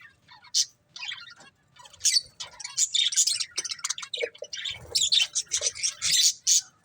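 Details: Budgie breeding pair chirping: sharp isolated squeaks at first, building into quicker scratchy chatter with higher squeals, over faint low background noise.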